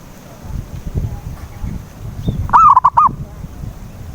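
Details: Zebra dove used as a lure for a silent bird: after a stretch of low murmuring background noise comes a single mellow phrase, one sliding coo followed by two brief coos.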